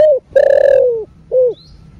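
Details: Close spotted dove coo in the thổ rền voice, meant to stimulate caged doves: a short coo, a loud sustained note slowly sliding down, then a final rounded coo, all hollow and resonant.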